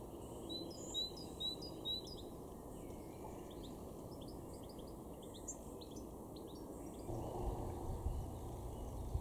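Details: European goldfinch in a garden in Weener, East Frisia, northwest Germany, in April 2024, singing a quick, tinkling run of high twittering and liquid notes over steady low rumbling background noise.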